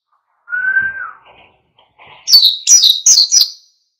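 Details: Wild-style song of an oriental white-eye, used to stir other birds to sing: one steady mid-pitched whistle, a pause, then four loud, high, sharply downslurred chirps in quick succession.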